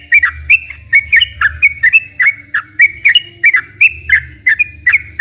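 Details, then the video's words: Sooty-headed bulbul, rapid continuous lure song for getting captive bulbuls to sing and answer rivals; crisp whistled notes in quick even succession, slurring down, above a low background hum. "kicau suara burung trucukan gacor ropel panjang ini cocok buat pancingan trucuk yg bahan agar bunyi"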